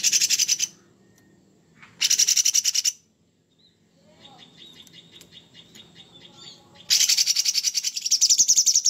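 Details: Cucak cungkok (Sooty-headed bulbul) giving rough, harsh material in gacor style: short grating pulse bursts at the start, a second burst near two seconds, faint whistled notes in between, then a long buzzy rattle to the end.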